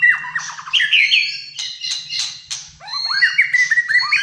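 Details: Malaysian white-rumped shama in fighter-style full song, caged: harsh squawky slurs and clicks mixed with bright whistled phrases, ending in a run of quick upward-sliding notes, over a faint low hum.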